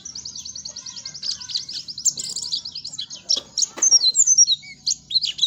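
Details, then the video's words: Oriental white-eye lure song for getting untrained birds to sing: opens with a fast, even trill of tiny high notes, then breaks into louder scattered squeaky chirps and sweeps, with a few soft clicks. "COCOK BANGET NI BUAT PANCINGAN BURUNG PLECI BAHAN BIYAR CEPET BUNYI"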